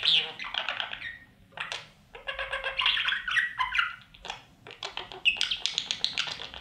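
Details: Young budgerigars in a nest box with feeding parents: rapid, buzzy chattering calls in clusters, some with a stacked, nasal tone, separated by short pauses.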